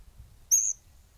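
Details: Variegated Flycatcher (tuquito rayado) in Argentina giving a single very high, thin, drawn-out whistle lasting about a fifth of a second, over a faint low background rumble.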